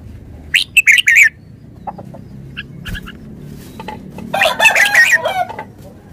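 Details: Red-whiskered bulbul with a quick run of clear whistled notes early on. Faint chirps follow, then a rooster crows near the end.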